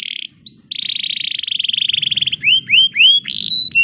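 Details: Canary singing an emotive roll as training playback for canaries that seldom sing: a short buzzy burst, a long fast pulsing trill of about two seconds, then a series of separate rising whistled upslurs.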